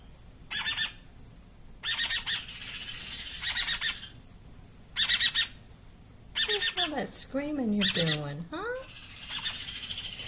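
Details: Baby Meyer's parrot, two weeks old, screaming; harsh, rasping broadband bursts in short clusters repeating roughly every one and a half seconds, with a person talking over the later bursts.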